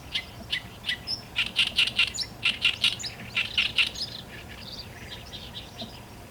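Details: In Korea, an Oriental Reed Warbler sings a harsh, chattering song of rapid, grating notes, loud for about four seconds before trailing off into softer phrases.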